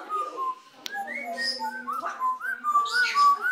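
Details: Pet African grey parrot singing while dancing indoors: a run of clear whistled notes, some rising and some falling, in short phrases about four per second, with soft chatter between them.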